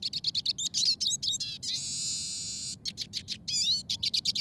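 Eurasian siskin song: fast, high twittering and chattering notes broken by a long, drawn-out buzzy wheeze in the middle, then more rapid twitters.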